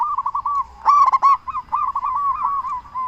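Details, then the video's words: Local zebra dove in full loud voice, used as a lure to make other zebra doves answer: rapid bubbling trilled cooing phrases, rolling and repeated in quick succession with a brief louder burst in the middle. "Perkutut Lokal Gacor SUARA BESAR Ahlinya Bikin Semua Burung Perkutut Langsung Nyaut"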